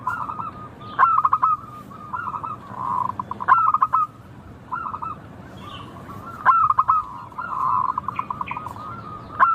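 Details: Local zebra dove singing: loud, clipped, rapidly pulsed cooing phrases recur about every two and a half seconds, separated by softer continuous cooing from other doves behind.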